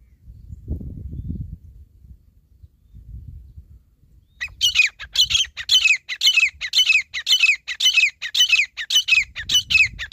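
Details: Grey partridge (desi teetar) recorded in a hunting setting: after four seconds of low rumbling, a loud series of harsh, squawking notes starts, repeating about twice a second and steady to the end.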